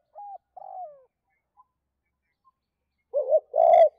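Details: Spotted dove calling to two hens in the '2 cốt' style, meant to stir up wild doves. Two soft, fading lead-in notes, a long pause, then a rough doubled hoot and a strong buzzy drawn-out coo.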